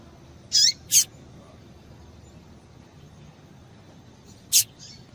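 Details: Female double-collared seedeater calls used to excite males into singing: three short high bursts, two close together near the start and one about four seconds later, each a harsh squeaky note with a falling lower trace.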